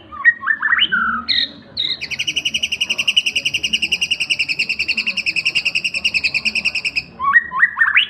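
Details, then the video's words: White-rumped shama, a young bird aged seven months, giving ngriwik song: brief whistled notes open into a long, fast, buzzy trill held steady for about five seconds, then more rising whistles. "Burung murai batu paud umur 7 bulan ngriwik"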